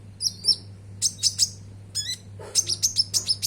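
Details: Konin song used as a lure to get caged birds singing: clusters of very high, sharp chirps and short trills in quick bursts, with brief descending notes and a steady low electrical hum underneath.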